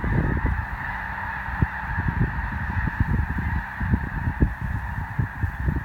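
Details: Thousands of snow geese swirl over Columbus, Nebraska during a migration stop, their honks merging into an unbroken, buzzy roar, with gusty low-frequency wind thuds throughout.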